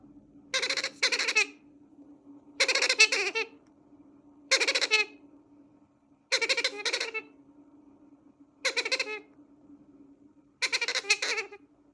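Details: Baby Bronze-winged pionus parrot begging: six harsh, raspy, pulsed bursts, each about half a second to a second long, repeated roughly every two seconds over a steady low background hum.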